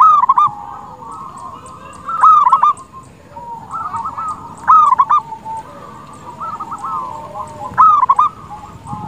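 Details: Zebra dove song for luring rival doves to answer: a low continuous cooing trill, with loud bubbling phrases bursting out every two to three seconds.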